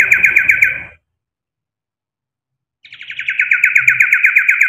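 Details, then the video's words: Song of a kept male common iora rich in mimicry: a fast, strongly pulsed trill breaks off, followed by two seconds of silence, then a second long rattling trill that builds in loudness. "CIPOH/ SIRTU mewah isian NEMBAK"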